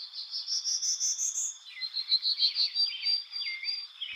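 Prairie Warbler: a quick run of about eight buzzy notes climbing steadily up the scale, followed by thinner, high twittering notes from other birds.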